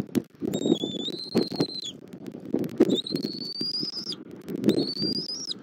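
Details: At a Southwest Florida bald eagle nest on 21 January 2024, 09:15, with the adult feeding its chick on a nest camera: three drawn-out, high, thin whistles, each gently rising before breaking off, with rustling and wind noise below.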